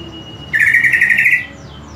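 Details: Greater green leafbird, kept bird used as tutor audio: one loud rich warbled phrase of about a second, fast chattering notes packed together, with faint room hum behind.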